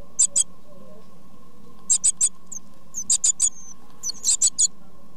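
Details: Great tit nestlings begging as parents feed them: very high, thin, hissing squeaks in quick bursts of two to four over a steady low electrical hum.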